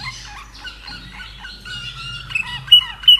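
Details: A caged common nightingale in Austria, hatched in 2011, gives a phrase of thin whistled notes sliding downward, ending in sharp high chips, with low hum underneath.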